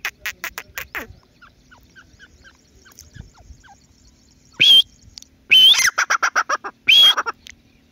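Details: Grey francolin calling, locally called teetar. After soft scattered notes, loud harsh shrieks break out, each followed by a quick series of rhythmic clipped notes, repeated three times.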